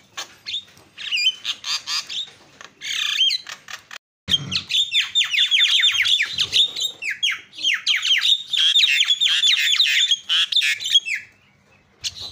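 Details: Javan myna calling used to provoke other mynas to call: a long, nearly continuous stream of scratchy chatter and rapid downslurred whistles, thick and loud through the middle before stopping abruptly near the end.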